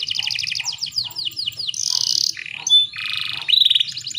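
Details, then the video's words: Female canary in breeding mood, played to prompt males to sing: quick stacked chirps, descending swept notes, a burst of harsh buzzy noise, then whistled and pulsed phrases. "PANCINGAN KENARI BAHAN AGAR CEPAT BUNYI"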